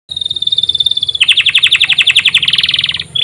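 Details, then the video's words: Domestic canary master song used to trigger other canaries into singing: a long steady whistled tone, then a fast rolling trill of about four notes per second, ending as another tone begins, with faint low hum behind. "Master kenari untuk pancingan"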